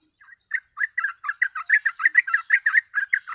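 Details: Rapid gacor ropel song of a sooty-headed bulbul, used as a lure: a soft opening note, then a steady run of loud, bubbly, warbled notes roughly five per second, slightly buzzy at the top.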